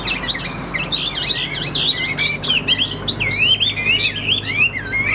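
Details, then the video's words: Kept hwamei of the Tam Hoàng kind, noted for a good, even voice, pouring out loud, wavering whistles in tight zigzag phrases, each slur sweeping up then down, steady throughout the few seconds. "Họa Mi Tam Hoàng, Hót Hét Rất Ổn, Nết Chơi Điềm Đạm Chất Giọng Hay, Ra Giọng Đều"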